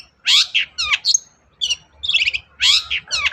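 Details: Long-tailed shrike singing vigorously, used as a lure to prompt a quiet shrike to sing: harsh, buzzy chattering phrases mixed with short sweeping whistles, in bursts separated by brief pauses.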